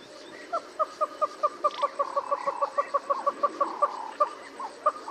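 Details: Southern red-billed hornbill (Tockus rufirostris) in Kruger National Park giving a long series of hollow, clucking notes, about four or five a second, swelling into a faster run before slowing again.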